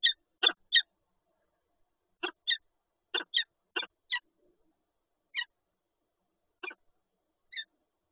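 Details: Nesting Peregrine falcon pair with an egg, Lublin, Poland, 19 March 2022: clusters of two or three grating calls, then single notes spreading out and fading.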